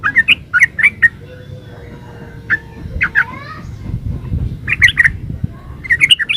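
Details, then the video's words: Yellow-vented bulbul giving short bursts of quick, bubbly chirping notes at the start and end, separated by a quieter gap with low background murmur and a faint steady whistle. "Suara burung trucukan GACOR ropel uplik"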